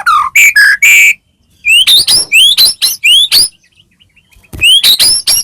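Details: White-rumped shama of the Medan type in full song, used to provoke a caged bird into singing: loud, pure whistles, first falling then a rapid series of rising sweeps, with pauses between phrases.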